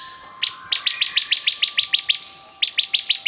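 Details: Bar-winged prinia singing a fast series of sharp, high, clipped notes, about six per second, broken by a short pause and then resumed, over a steady faint tonal hum in the background.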